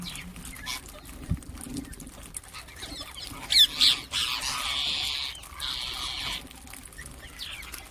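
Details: Ring-necked parakeets calling and chirping: a few sharp chirps, then loud, harsh, grating squawks that run in drawn-out bursts for about three seconds midway, over a low steady hum and an occasional thump.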